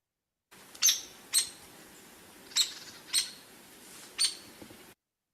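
Hairy Woodpecker giving five sharp, high, punched-out peek notes spaced irregularly about a second apart, harsher than a downy's, over faint background hiss.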